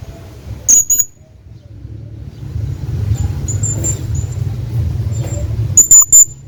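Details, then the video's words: Hanging parrot calling to his friend, giving sharp piercing high squeaks in quick pairs at the start and end. Softer thin whistles sound between them, over a constant low background hum. "hanging parrot calling his friend"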